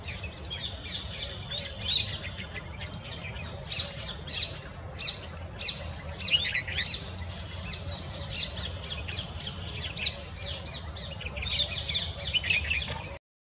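Grey-headed canary-flycatcher giving high, sharp chirps and quick sweeping notes in bursts, over a busy background of other bird calls, a faint steady whine and low rumble.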